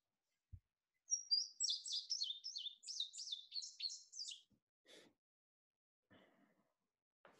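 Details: An Indigo Bunting sings its spring song: a bright, high, three-second phrase of paired notes like "fire fire, where where, see it see it", each pair repeated twice, ending in a short trill; a few faint clicks and rustles follow.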